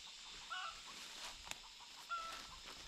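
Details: Wild chickens encountered in a forest near a work site, their chicks taken home to be tamed; two short whistled calls about one and a half seconds apart amid rustling and a sharp knock.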